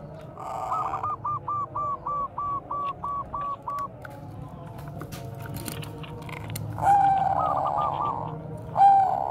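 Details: Bangkok-type zebra dove in bekur koar-koar style, kept as a lure for training other doves: a long run of about ten evenly spaced, clipped staccato notes, then a pause and later a short stuttered phrase ending in smooth coos.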